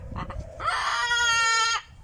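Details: Male pet cockatoo outdoors in warm sun on the day after Thanksgiving, displaying and screaming loudly: one sustained, harsh, harmonic-rich scream held for about a second, preceded by softer notes, with a person talking afterward.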